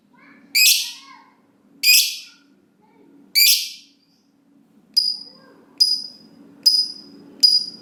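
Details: Lovebird giving short harsh high calls, used as a lure for other lovebirds; three rasping notes followed by four sharper, thinner chirps at roughly one-second intervals.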